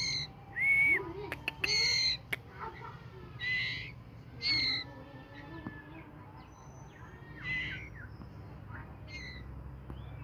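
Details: White-rumped shama singing: clear, ringing whistled phrases, some rising and some slurred, delivered in short bursts about once a second, with pauses and faint background hum.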